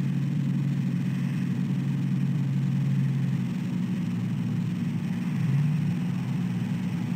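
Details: Low, steady engine-like hum and rumble throughout, with no animal calls heard.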